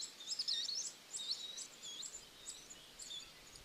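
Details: Varied Sittella from the Capertee Valley, Australia, filmed from eggs to fledglings; short, high twittering chips and squeaks come in a quick cluster, then fade to sparser notes.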